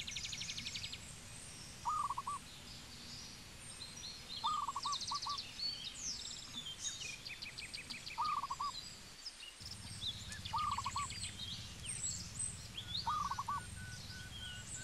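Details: Zebra dove from Cambodia giving five short staccato cooing phrases, spaced about every two and a half seconds, amid buzzy high trills and chirps from other birds and a low background hum.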